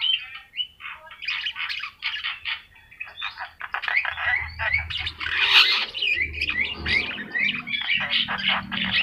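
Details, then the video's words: Yellow-eyed Javan myna singing energetically as a training master for other birds: rapid bursts of scratchy, chattering notes with short whistled slurs, continuous for about nine seconds, faint low rumble beneath. "jalak kebo mata kuning gacor"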